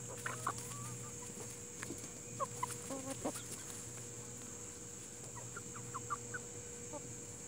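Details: Plymouth Rock and Hamburg chickens giving scattered short clucks and brief harmonic notes, some in quick clusters, spread through the recording over a steady background hum and high hiss.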